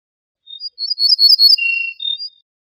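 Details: Ortolan bunting song from a compiled tape of wild birds, known in Morocco as al-bouh al-fassi: a quick series of high, sweet ringing notes, then a lower drawn-out tone and a final high note, with no background noise.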